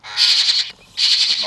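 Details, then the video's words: Hungry baby parrot chick at a morning feeding, excited while waiting for milk: two long harsh, hissing, raspy begging bursts, each about half a second, with a short pause between. "Adorable Parrot Chick Can’t Wait for Milk"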